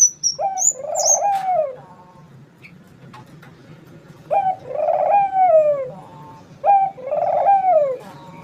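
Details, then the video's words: Dove cooing in three low, rolling phrases, each a short note followed by a longer throaty coo that falls away at the end, with thin high chirps from another bird at the start. "suara burung puter gacor"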